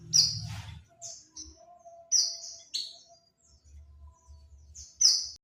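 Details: Lure call of an oriental white-eye, used to draw birds in: sharp, high, thin whistled notes, some slurred and descending, spaced about one second apart, with faint lower tones and low background rumble.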